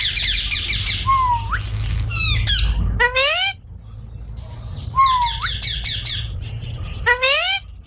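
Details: Green parrots, several birds feeding on maize: harsh buzzy squawk bursts alternate with clear rising and falling whistles and stacked screeches, in two similar bouts about four seconds apart over low background rumble.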